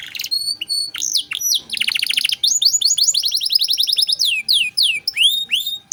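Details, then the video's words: Gacor canary with cengkok mewah style, played as masteran to train other songbirds: long high whistle, then dense downward-sweeping notes rolled into fast trills and rattles, ending in rising sweeps. "Masteran Kenari Gacor Cengkok Mewah untuk Burung Bahan"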